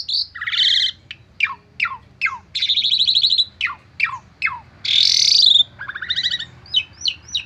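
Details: Stressed Asian pied starling in full, varied lure song that gets other birds to answer: a quick run of harsh chatters, sharp falling whistles, buzzy rattles and a loud grating burst, with no other sounds.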